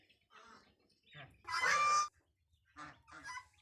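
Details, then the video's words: Goose with goslings, described as naughty chicks: soft scattered calls, then a single loud, harsh honk lasting about half a second, followed by a few quieter calls. "Naughty Geese Chicks"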